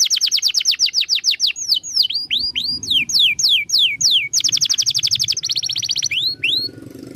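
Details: Canary song used to train other birds: fast rattling series of sharp notes, swooping whistled phrases, then a high rapid trill and two final rising notes, with a faint low rumble underneath.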